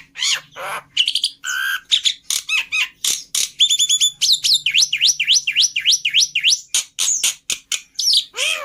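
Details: Black-winged starling lure and master song full of fill phrases: varied chirps, short whistled motifs and a series of repeated V-shaped down-up whistles, with a faint low hum underneath.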